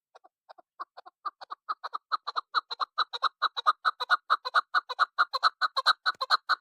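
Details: Female chukar partridge calling, a sound used to lure birds: a rapid, regular series of harsh clucking notes, about two per second, that starts sparse and quiet and builds into a loud, steady chuk-chuk chorus.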